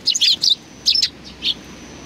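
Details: On 27 July 2020 several sparrows greet an arrival with lively chirps. Quick doubled and tripled high notes follow one another rapidly, then a single softer chirp closes the sequence.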